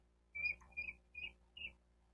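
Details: Bald eagle calling at a nest in Miami-Dade County, Florida, recorded by a nest cam on 28 May 2023: four fairly soft, thin whistled notes about 0.4 seconds apart, with low background hum.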